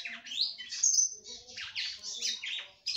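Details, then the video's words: Female red-cowled cardinal singing to stir up a male: scratchy, squawk-like high notes mixed with a sustained whistle and quick slurred chirps, packed closely over three seconds. "FÊMEA DE GALO DE CAMPINA CANTANDO MUITO PRA FOGUEAR SEU CAMPINA."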